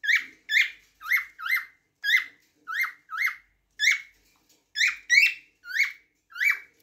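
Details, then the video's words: Lively cockatiel singing: rising-then-falling whistled chirps, rich in harmonics, delivered almost continuously at roughly two notes per second with only brief breaks. "تغريد طائر الكوكتيل"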